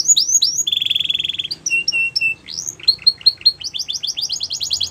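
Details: Canary singing varied phrases: a few fast sweeps, a long steady whistled tone, short flat notes, then a rising slur into quick repeated chips and a rapid trill.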